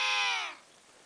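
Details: Emperor penguin, one of four wild birds sliding on their bellies on sea ice near Inaccessible Island, Antarctica, in October: a short, loud, harmonic trumpeting call that fades out after half a second.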